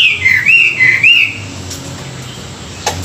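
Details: Morning song of a Chinese hwamei for voice training; a clear whistled phrase with two rolling upward loops lasts just over a second, followed by near silence with a faint hum and a single click.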